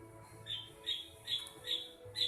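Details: Young bar-winged prinia, three months old, giving mriwik nembak notes: five short buzzy high notes spaced about every half second over a faint low hum.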